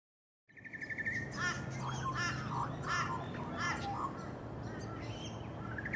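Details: Australian magpie (Cracticus tibicen) on the Sunshine Coast, Queensland, in June 2023: a rapid pulsed trill opens, followed by rich, harmonic warbled phrases rising and falling, with a steady low hum behind.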